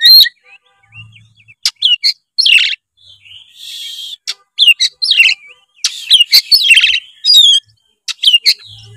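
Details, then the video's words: A white-rumped shama sings, used as a prompt for a lazy young bird: varied whistled phrases, buzzy rasps and quick ticking notes in rapid succession, with faint low hum. "suara kacer gacor ngeplong pancingan kacer malas trotol menjadi gacor"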